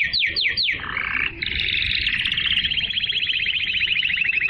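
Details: Canary singing to arouse females for mating and to tutor young birds. Three quick falling sweeps lead into a long, fast, buzzy rolling trill held steadily to the end.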